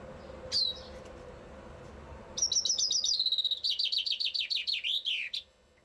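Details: Chaffinch song recorded somewhere in Bucharest: an opening sharp note, a pause, then a fast high trill that steps down in pitch into a chain of falling, swooping notes and ends abruptly. Soft steady low drone behind.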